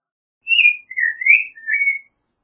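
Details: Creamy-bellied Thrush (Turdus amaurochalinus) singing a short phrase of three clear whistled notes: a high slurred whistle, then a lower one that rises at its end, and a final level whistle, against a silent background.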